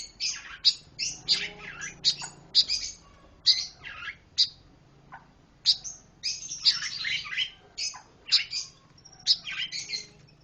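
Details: Varied, lively pancawarna bird song of scratchy chirps and piercing high whistles in irregular bursts, with short pauses between phrases and a faint low hum in the background.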